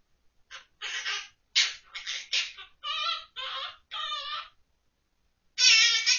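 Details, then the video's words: Pet monk parakeet, recorded October 2023, singing children's songs from memory, including Ppoppoppo and San Tokki: short tonal, slightly buzzy syllables delivered in phrased bursts, then a pause and a louder final note, indoors and quiet. "퀘이커앵무 꾸꾸 l 생각나는 대로 부르는 꾸꾸표 동요"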